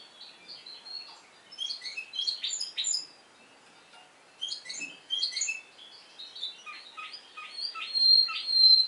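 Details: Spanish timbrado canary from Madeira, Portugal, singing in the discontinuous style: bursts of varied high metallic notes and chips broken by short pauses, ending with a clear sustained high whistle.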